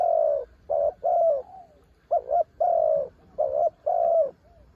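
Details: Decoy spotted dove, mountain-caught, cooing against strong wind: deep hollow coos, a doubled note then a longer slightly falling coo, phrases repeated about every second with short gaps.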